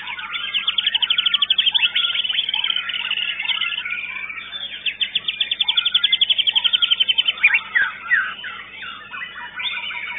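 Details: A white-rumped shama singing in a songbird contest at a contest arena, where it placed fourth. The song is loud and varied, with rapid repeated chirps, trills and whistled phrases, and fast runs of notes around seconds 1 and 6–7.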